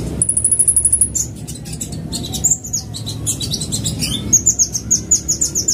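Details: Fast lure sound of Van Hasselt's sunbird: a rapid, very high trill of evenly repeated notes, then mixed sharp twittering, ending in another quick run of high repeated notes; low background hum throughout.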